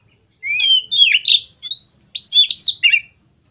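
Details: White-rumped shama singing ngeplong, said to prompt other shamas to start singing: a rising whistle opening into loud, varied warbled phrases, six bursts in about three seconds, sweet and slurred.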